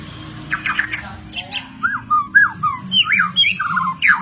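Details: Singing white-rumped shama: a few scratchy notes, then a series of clear, arched whistles, each rising then falling, about four per second, with a steady low hum behind.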